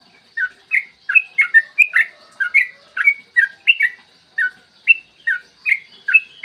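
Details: Yellow-vented bulbul song used to lure and stimulate other bulbuls to sing, clear morning recording: a long chattering run of short liquid whistled notes, bright and bubbly, about two or three per second with brief gaps.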